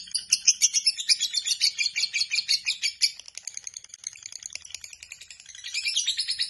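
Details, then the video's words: Lovebird giving its long ngekek chatter, a dense, high-pitched stream of rapid, scratchy trills and chirps without pause, loud at first, then fading slightly before rising again. "Lovebird BIOLA ngekek panjang SIANG MALAM"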